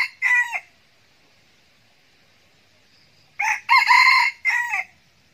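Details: Decoy red junglefowl rooster crowing to provoke wild roosters: one clipped crow, then after three seconds of near silence a longer crow in three choppy segments, loud and strained.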